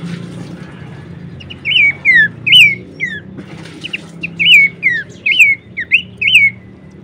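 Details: Horsfield's babbler singing for use in training songbirds: clear whistled phrases of rising-then-falling notes in pairs and triplets, with a pause midway, over a faint low background hum.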